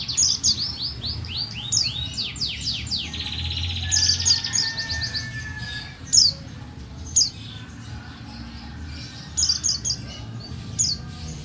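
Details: A female buxtoni white-eye calls to spur silent males to sing. A rapid cascade of high, falling chirped notes opens, followed by a thin whistle and scattered sharp chirps, some in quick pairs or triplets.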